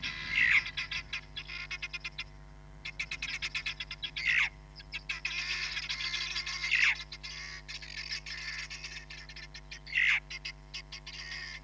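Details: Hamerkop recorded on a live camera at Nkorho Bush Lodge, 31 July 2021. Bursts of rapid, high, stuttering pips are broken by four louder, sharp descending notes spaced about two to three seconds apart, with a constant low hum behind.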